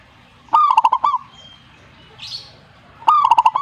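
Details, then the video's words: Zebra dove song in two rapid phrases of hollow, staccato coos about two and a half seconds apart; a soft brief rustling noise is heard between them. "suhu perkutut jika nyaut"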